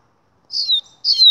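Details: Double-collared seedeater, 'Gladiador' song style: two drawn-out, high whistled notes, each sliding downward, separated by a short gap.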